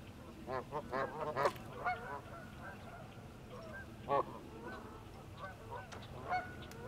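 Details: A pair of Canada geese on ice, calling in alarm at an approaching person: scattered nasal honks, fainter and more distant, in short clusters with pauses, over a steady low background hiss.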